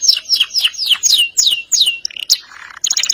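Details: Canary singing in a loud, active style: a run of descending whistled sweeps repeated about three times a second, then short chirps and a brief buzzy trill.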